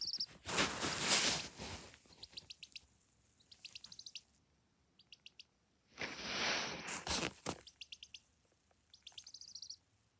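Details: Sick young chicken, kept at home and under treatment with medicated feed, making an odd noise: quick bursts of short, high, clicking chirps, several in a row, broken by two loud rushing blasts of noise.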